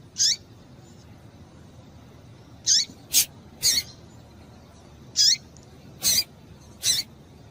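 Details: A female double-collared seedeater calling to stir males: high, downward-slurred chirps and crisp broadband notes in loose groups, roughly two dozen a minute, irregularly spaced.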